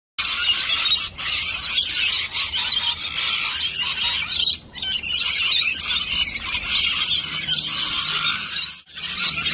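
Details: Lorikeets feeding on nectar mix, with a cockatoo joining in, screech and chatter in a dense, nonstop, high-pitched din of overlapping shrill squeals and metallic notes, with no pauses between callers.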